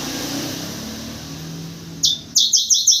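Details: White-crowned forktail calling actively in the morning, kept as a lure sound: after a low rumble of traffic, a quick run of five sharp, high, metallic notes rings out near the end.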